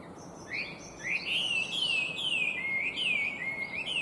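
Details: Chinese hwamei, an invasive introduced species, in clear, beautiful, complex song: a rapid run of loud whistled notes sweeping upward then slurring down, about two per second, rich and varied with little background noise.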